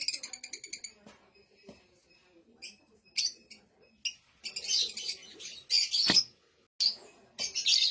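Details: Blue Fischer's lovebird song: a quick series of ticking notes, isolated sharp chirps, then extended harsh, buzzing chatter phrases alternating with short gaps.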